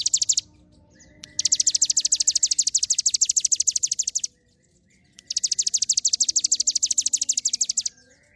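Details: Hill prinia in full song, two long, very high, rapid metallic trills of evenly spaced notes, each lasting about three seconds, separated by a short silence.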